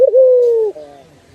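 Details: A single turtle dove coo from a master recording for training birds: a brief warble, then a sustained, soft tone drifting gently lower before fading out in a quiet room.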